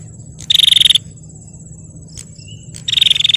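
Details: Female bar-winged prinia, calling to provoke males: two loud bursts of fast, metallic pulsed notes, roughly two seconds apart, with a brief faint note between and a steady high hum behind.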